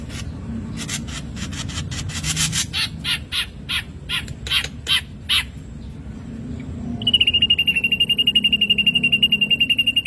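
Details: Black drongo voice used as a lure to get caged birds singing. A run of harsh, grating, chattering notes spaced about a third of a second apart, a short pause, then a rapid even high-pitched trill.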